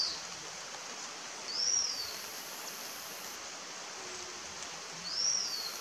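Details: A thin, high, arched whistle from a slaty-backed chat-tyrant, given twice about three and a half seconds apart over the steady roar of a rushing stream, Vereda La Cristalina, Neira, Caldas.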